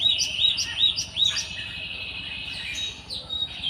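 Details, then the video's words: Java sparrow in the wild giving a handful of quick chirps, then a sustained buzzy trill that fades before a few more notes return. "burung glatik"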